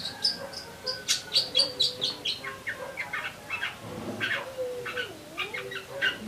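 Eurasian tree sparrow giving bright, rapid, high chirps about twice a second, some doubled, with a man talking briefly in the background.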